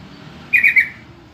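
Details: Yellow-vented bulbul lure call, used to make other bulbuls answer and start singing: one quick burst of three bubbly, chattering notes lasting under half a second, over a faint low hum.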